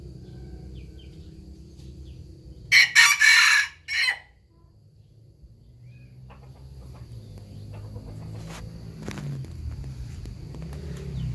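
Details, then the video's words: Rooster crows once, loud and raspy, in a drawn-out phrase ending with a short separate note. Quiet low hum and faint clicks follow. "suab qaib qua zoo nawb"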